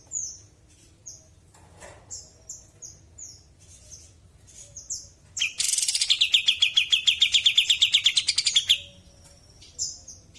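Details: Sooty-headed bulbul in full natural song: scattered high, thin downslurred chirps, then a hissy burst opening into a rapid, steady trill of clipped notes lasting nearly three seconds, followed by more sparse high chirps.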